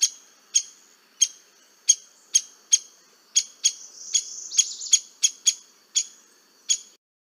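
Downy Woodpecker giving sharp, high 'pik' notes about every half second, with a brief rattly burst partway through; nothing else is heard.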